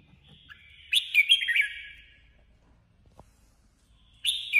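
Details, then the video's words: Caged female red-whiskered bulbul used as a decoy, singing competitively in 2021: one rich, quick whistled phrase of warbling, up-and-down notes, a pause of near silence, then the start of another bright phrase. "Chào mào hót đấu 2021| chào mào mồi 2021 | chào mào mái"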